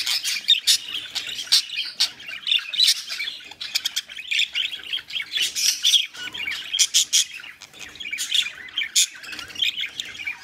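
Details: Mating budgerigars pour out a continuous high chirping warble mixed with sharp clicks and squawks, loud bursts repeating through the recording.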